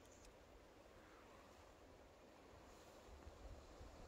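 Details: Quiet wind rumble and faint outdoor hiss on a heathland common, with no animal calls.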